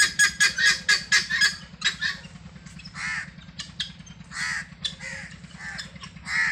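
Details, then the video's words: Free-range helmeted guineafowl searching for food: a fast run of harsh, rasping chattering notes, then slower scattered nasal squawks with arched harmonics, a steady low hum beneath. "GUNea Fowl Saund and searching feed free range"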